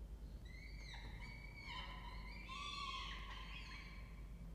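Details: Peregrine falcons nesting in a water-tower nest box at a university campus in Orange, New South Wales, Australia, with young about 25 days old. A long whining call rises and bends, then breaks into a louder, rougher wail over a low background hum.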